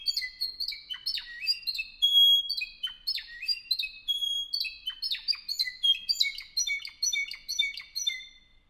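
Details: Song of a Spanish Timbrado canary born 2015, kept by a song club in Albacete, Spain; a long sequence of ringing whistles, bell-like clicks and downward slurs in steady bursts, fading out at the end.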